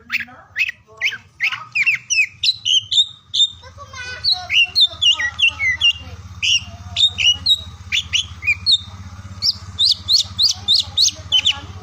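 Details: Oriental magpie-robin singing to stimulate silent or lazy birds: long, lively sequence of sharp whistled notes and sliding phrases, densely repeated throughout, with a low hum from the middle on.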